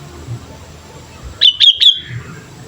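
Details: Sooty-headed bulbul in strong voice as a training lure: one brief burst of three bright chirped notes, with clicking onsets, set in otherwise quiet low rumble.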